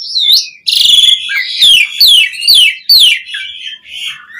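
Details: Asian pied starling singing richly, played as a lure to prompt other starlings to sing; a run of loud, harsh descending whistled notes repeated about twice a second, ending in softer warbling.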